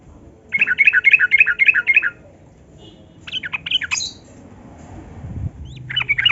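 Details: Yellow-vented bulbul in lively, long 'gacor ropel' style singing, used as a lure to get reluctant bulbuls to sing: a fast run of bubbly, repeated warbled notes, then two short chattering bursts and a final burst of bright notes.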